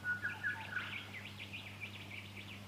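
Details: A fuscous honeyeater (Ptilotula fusca) in Victoria, Australia, in September 2019 gives a quick run of bright, chirpy notes, opening with a few clear whistles, then rapid rising-and-falling twitters, over a low steady hum.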